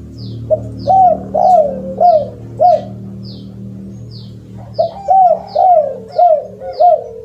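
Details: Spotted dove giving its kuk 2 and kuk 3 lure call: two rhythmic series of arched, mellow coos, five then six notes, separated by a short gap, over steady high descending chirps of other birds and low background hum.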